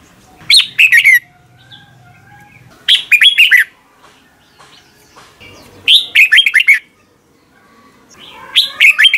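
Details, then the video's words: Red-whiskered bulbul singing 'ché kích bổi' morning phrases for bird training: four brief bursts of liquid, falling whistles spaced about three seconds apart, with a low murmur of background noise. "Luyện chào mào hót sáng, QUÁ HAY - CHÉ KÍCH BỔI CĂNG ĐÉT, Cách luyện chào mào hót căng lửa"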